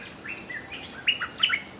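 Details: A merbah lekir bulbul, used as a lure call for a newly trained bird, gives a few short, bubbly chirps rising and falling in mid pitch over a steady, high, insect-like whine.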